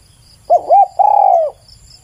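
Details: Spotted dove song phrase of two brief arched coos followed by a drawn-out, gently falling coo with a slightly rough texture, loud and clean against faint background hum.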